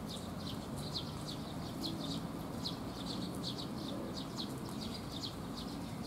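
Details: Several sparrows gathering to be fed at a rainy-day resting spot on 19 June 2021; short high chirps tumble over one another in a steady chatter, with a low rumble of rain beneath.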